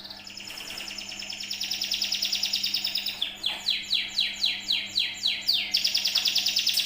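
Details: Canary song played as a lure to prompt other birds to sing: a high rapid trill of fast repeated notes that grows louder, then a series of downward-sweeping notes about five per second, then another fast trill.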